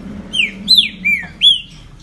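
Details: Trinca-ferro ligeirinho, a kept green-winged saltator from Brazil showing off for its owner in 2020: a phrase of four sharp whistled notes, each dropping in pitch, evenly spaced over about a second, with low steady hum beneath.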